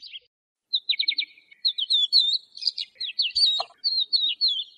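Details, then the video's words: Lark singing a fast series of high stuttered notes, then varied slurred whistles and chirps, with a faint click in the middle. "تغريد طائر قبرة الحقول(القوبع) Chant de Alouette des champs"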